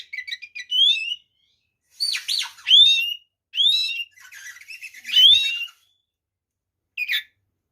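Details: White-rumped shama (kacer) singing a provoking song to stir other males: rising and falling whistled notes, some sharply upslurred, in spaced phrases with quick twittering at the start and a lone chirp near the end.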